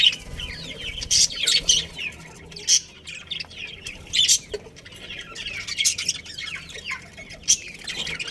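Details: Colony of budgerigars with a breeding pair, giving busy warbled chatter and squeaky chirps, with repeated loud harsh squawk-like bursts spaced a second or two apart.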